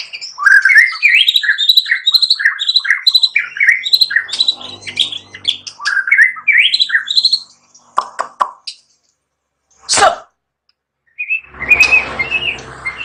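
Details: White-rumped shama delivering a long run of rapid, looping whistled notes for about seven seconds, followed by a few sharp clicks, a loud rasping burst and a harsh buzzy ending.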